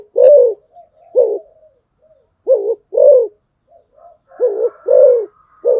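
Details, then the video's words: Spotted dove kept as a decoy bird, giving low, hollow coos in close pairs, a short note then a longer drawn-out one, repeated about every two seconds, with soft fluted notes and a faint high thin tone between phrases. "tiếng chim cu gáy mồi"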